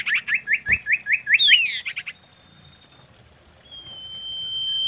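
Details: Lure song of a female common iora in mating mood: a quick run of repeated clipped notes, then a sweeping slurred phrase, and later a long, thin, steady whistle.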